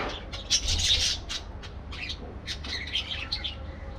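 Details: Parakeets kept in an aviary give a loud harsh squawk burst early on, then scattered sharp chirps and short scratchy calls with brief gaps, over low rumble.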